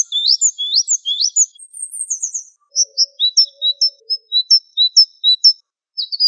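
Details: Java sparrow singing: a quick burst of tumbling high chirps and a brief thin rising note, then evenly spaced short clipped notes alternating between two pitches, about two each second.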